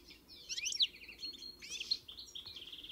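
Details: European goldfinch song: a short burst of high, tinkling twitters and trills, with a faint low hum beneath.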